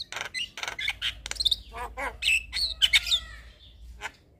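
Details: Javan myna in the evening, a master song for young birds: scratchy squawks followed by thin, high whistled chirps and short slurred notes, fading to a single faint note at the close.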